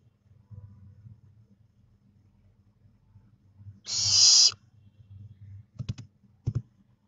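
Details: A 25-day-old barn owl owlet, losing its down, gives one harsh, breathy hiss about half a second long, followed by two sharp clicks over a low background hum.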